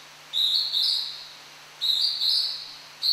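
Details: A Hodgson's hawk-cuckoo sings at Tokyo Citizens' Forest, heard but hard to see. It gives a shrill, high two-part whistle, 'ju-ichi', with the second note slightly higher, repeating about every one and a half seconds over a quiet background.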